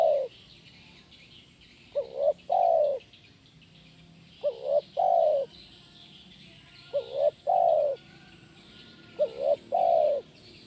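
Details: Spotted dove singing the energetic 'kuk 1' style, used for training doves: five cooing phrases about every two and a half seconds, each a short rising note and a longer, mellow, slightly falling coo, with faint chirping behind.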